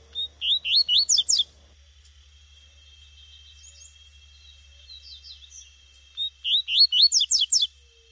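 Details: Wild female double-collared seedeater call: two bursts of about seven sharp, upward-sweeping chirps several seconds apart, separated by faint soft chirping, over a constant thin high-pitched background tone.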